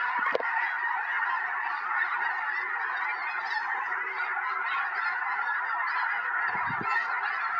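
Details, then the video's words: Snow geese by the hundreds descending onto a field in Tennessee, 21 January 2026, ahead of a major snowstorm; unbroken chorus of many honking voices, dense and even throughout, with a couple of brief low bumps. "Hundreds of Snow Geese Descend in Tennessee Just Before a Major Snowstorm"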